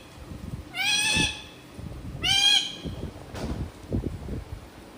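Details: Pet parrot mimicking a goat with two drawn-out, quavering bleats followed by a fainter third, over soft room noise.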